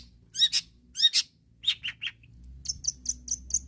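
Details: Long-tailed shrike singing in an active, loud mood to call out rivals: paired harsh chattering notes, then three falling mid-pitched whistles and a run of short high ticks.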